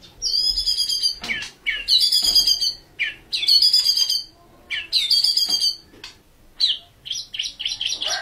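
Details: White-rumped shama singing in the rapid burst style known as tembakan: loud, high whistled and buzzy phrases with sharp downslurred notes, delivered in bursts of about a second separated by short pauses.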